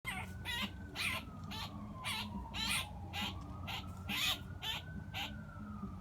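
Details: Blue jay held on the ground by a hawk in a front yard, screaming while the hawk plucks it: harsh, raspy scream bursts about twice a second, with a wavering siren in the background and a low rumble underneath.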